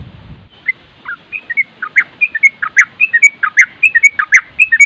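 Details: Sooty-headed bulbul in rapid nropel delivery, a master track for prompting responses, with wind noise mentioned: a low rumble at the start, then a steady stream of short whistled and bubbly notes repeated quickly, growing louder.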